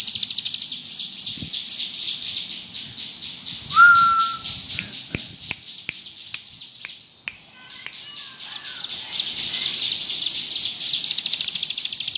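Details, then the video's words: Bar-winged prinia singing actively in the ngebrem style: a long, dense, very high buzzy trill that runs almost without pause, broken midway by a brief clear whistled note and scattered sharp clicks, then resuming strongly. "Burung ciblek gunung gacor ngebrem cocok buat masteran"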